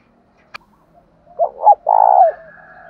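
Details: Calls of spotted doves, used to stir captive doves into calling: a sharp click, then a loud wavering two-note coo ending in a long, rough, drawn-out note, with a faint trailing murmur.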